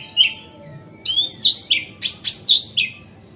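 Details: Magpie-robin (kacer) singing energetically as a lure to prompt other magpie-robins: a brief whistle, then rapid bursts of sweet whistled notes and harsh, rasping chattering phrases, mostly high-pitched, with faint steady background hum.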